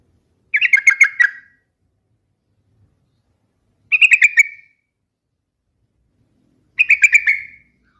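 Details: Yellow-vented bulbul (trucukan) giving short bubbling phrases of about six quick chattering notes, each lasting under a second and repeated roughly every three seconds, with silence between; no other sounds.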